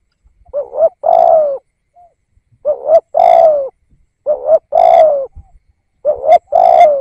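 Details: Lure spotted dove giving a steady series of four low phrases, each a stuttered double note rolling into a longer falling coo, roughly every one and a half seconds.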